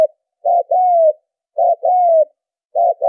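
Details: Spotted dove cooing, used as a lure call for trapping doves: a short low coo followed by a longer, gently falling coo, the pair repeated steadily about every 1.2 seconds in clean silence.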